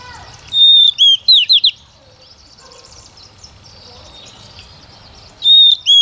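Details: Singing female Oriental magpie-robin used as a lure to get males singing; a sustained clear whistle leads into several quick down-slurred notes, then quiet for nearly four seconds before another whistled phrase starts.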